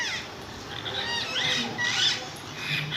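A parrot gives harsh, squeaky chatter in bursts about a second apart, with thin rising and falling whistles mixed into the noisy calls.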